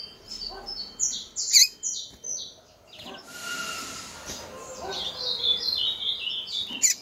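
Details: Female double-collared seedeater calling persistently to stir up males: runs of quick, high chirping notes and short slurs, interrupted midway by a hissing noise burst, then resuming in a rapid chattering series.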